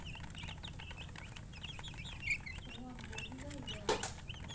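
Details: Chicken chirping: scattered high peeps, some lower drawn-out whistled notes in the second half, and two sharp knocks, over a continuous low hum.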